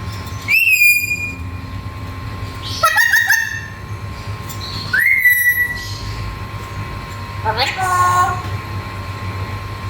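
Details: Black-capped lory, said to be able to talk, giving four loud clear whistled calls about every two and a half seconds, each sweeping sharply upward then holding a steady tone, over a constant low hum.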